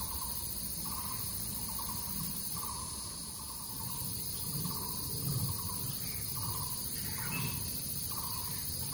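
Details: Crested goshawk recorded on 17 September 2018 at Zhushan: a series of short nasal notes repeated about every half to two-thirds of a second, over a steady high insect hiss and a low rumble.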